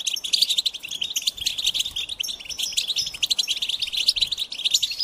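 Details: Goldfinch singing a dense, continuous twitter of rapid high chirps and trills that pulse and overlap without pause.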